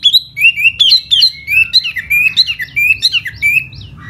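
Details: Fanning-display song of a laughingthrush in spring: continuous clear whistles in a tumbling, uneven rhythm, rising and falling between notes, with a final low-pitched note.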